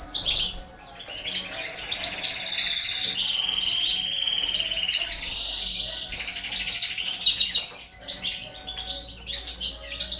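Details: Balkan goldfinch feeding four baby canaries; rapid high-pitched chirps repeated in a steady stream over a long buzzy, wavering tone, the feeding chatter continuous and intense.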